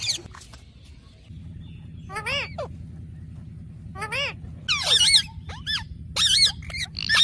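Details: Talking pet parrot known as Mithu: after a quiet start, wavering harmonic chattering phrases come in short bursts, growing louder and faster toward the end with shrill squawks, over a steady low engine-like drone.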